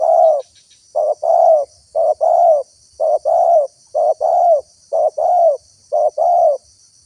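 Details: Spotted dove call used as a lure to draw wild doves: a repeated two-part coo, a short note then a longer flat low hoot, about once per second in a steady series, with faint high hiss behind.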